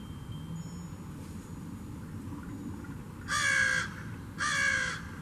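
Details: Crow calling, a sound crows make when communicating with others: after a few seconds of quiet outdoor hum, two loud, raspy caws come in quick succession, the second following about a second after the first.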